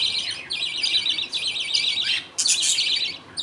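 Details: Pet budgerigars at feeding time, a father feeding two chicks with millet paste as the mother watches. Three bursts of scratchy, high, warbling chatter are split by brief quiet gaps.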